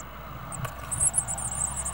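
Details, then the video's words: Blue tit (Parus caeruleus) chicks in a nest box in spring 2011, waiting to be fed, keep up a thin, very high-pitched chorus of rapid cheeping, with a low background rumble and a single click. "Singing chicks for dinner ~ Blue Tits"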